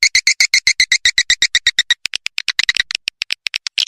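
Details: Swiftlet lure call for swiftlet farming, a fast pattern: rapid, bright chirping clicks, about five a second and evenly spaced at first, then a looser, more irregular patter; no other sounds.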